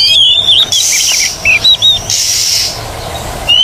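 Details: Oriental magpie-robin song for retraining birds that have stopped singing. Wavering whistles give way to short looping notes and a final rising whistle, over strong continuous hissing buzz.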